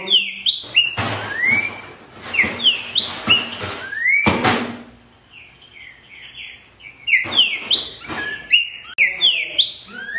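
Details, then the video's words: Green-winged saltator song, edited for playback to prompt other birds to sing: loud whistled phrases of rising and falling notes repeated in quick bursts, broken by sharp broadband bangs and a pause midway. "ESSE VAI ABRIR O CANTO DO SEU TRINCA FERRO NA HORA!"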